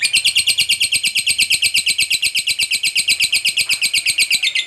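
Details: Long chatter from a lovebird calling its companions, a fast run of shrill, grating notes at steady pace, roughly three per second, without pause.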